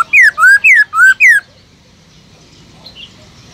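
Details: Caged black-throated laughingthrush gives a quick wild-voice phrase meant to excite other birds into song: five loud alternating swooping whistles in about one and a half seconds, followed by near silence.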